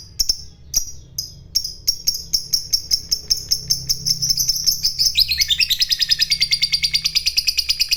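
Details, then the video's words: Fighter lovebird giving its long ngekek chatter, the kind that provokes rival lovebirds into singing: a few separate sharp chirps quickly speed up into a continuous high rattling trill, pulses running several per second to the end. "SUARANYA Sukses Bikin Lovebird Lawan Ikut Bunyi Ngekek,Burung Lovebird Gacor ngekek Panjang"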